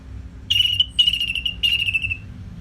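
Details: Three long, clear whistles, each sliding gently downward, in an orange-headed thrush's continuous training song for fighter birds.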